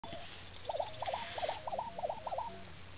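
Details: A displaying male Lesser Prairie-Chicken on a lek near Woodward, Oklahoma gives a run of six quick, warbling gobbles, about three per second and mid-pitched, over a steady hiss of wind.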